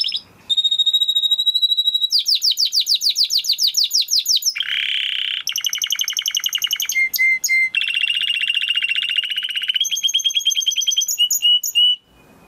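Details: Timbrado canary song for training young canaries: a series of rapid, metallic trilled tours, a steady high whistled note, fast buzzy rolls, a lower rattling run and clipped double notes, each tour held for one to two seconds.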